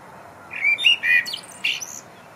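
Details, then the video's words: Common blackbird singing its evening song from a concrete high-rise on the 11th floor: a short phrase of a few mellow fluted notes, then a thin, squeaky high twitter at the end, against a quiet background. "Gesang der Amsel"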